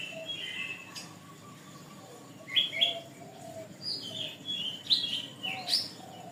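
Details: Canary song from a lengthy tutor recording for birds: soft warbling at first, then loud bright chirps and whistled sweeps bursting out every half second or so.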